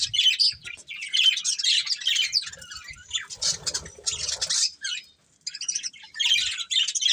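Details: Two budgerigars, a breeding pair, chirp in harsh high bursts of chatter, with a quieter lower murmur midway, a near-silent pause around five seconds, then more chirping.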